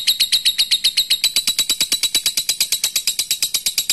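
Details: Rapid, even lovebird ngekek chatter directed at a rival, shrill scratchy notes repeated about eight times a second for the full four seconds.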